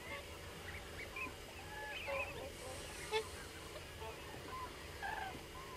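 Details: Many common cranes calling together: faint, scattered honking and trumpeting notes from several birds overlap irregularly, sounding distant, over a steady low rumble of background noise.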